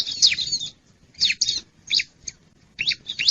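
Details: Lure calls of a wild bar-winged prinia, used to attract birds: short bursts of scratchy, sliding chirps in groups of two or three, separated by brief silences.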